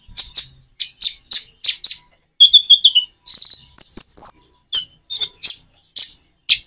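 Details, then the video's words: Common iora song with natural pauses, meant to prompt reluctant birds to sing in reply: short, sharp, high chirps and thin whistles in quick bursts of two to four notes, separated by brief silent gaps, with no other sounds. "Kicau burung konin jeda natural untuk pancingan"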